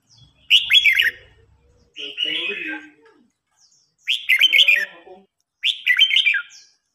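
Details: Singing contest of red-whiskered bulbuls, old bird challenging young: four lively warbled phrases with quick up-and-down twists, coming roughly every one to two seconds.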